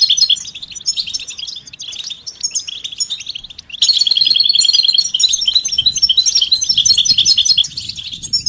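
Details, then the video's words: European goldfinch readiness and mating song for encouraging a silent male: scattered high twitters at first, then, after a sudden jump in loudness, a quick run of repeated bright tinkling notes mixed with chatter. "بتبتة فعالة و ستستة فتاكة رهيبة في علاج صمت الحسون"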